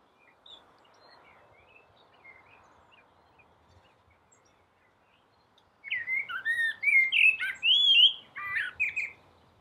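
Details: Rooftop blackbird in the dawn chorus delivering a long mellow warbled phrase of fluting whistles and swoops, closing with thin twittering notes, after several seconds of faint distant chirps.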